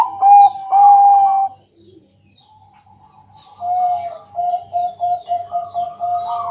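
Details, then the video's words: {'caption': 'Zebra dove, Bangkok type, singing at night to lure others into song. Two loud coos start the clip, then it goes quiet, then a fast run of soft, rhythmic notes that gradually grows louder. A faint low hum is present.'} "Pancingan malam hari Perkutut Bangkok..Suara Penghilang Stress Burung Perkutut"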